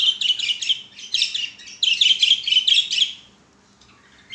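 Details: Budgerigars kept as pets singing during play on a swing, quick chirped notes bunched into three rapid bursts, then falling quiet.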